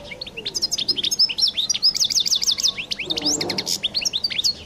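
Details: European goldfinch in distinctive song: a continuous, fast, high-pitched twittering stream of liquid trills, chirps and buzzy rolled phrases lasting nearly five seconds, with a faint low murmur underneath.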